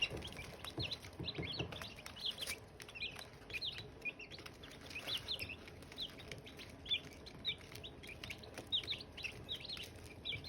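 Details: Silkie chicken chicks with hatching eggs, continuous shrill peeps from many birds, short downward-sliding chirps coming in rapid clusters, with a few soft rustles in the background.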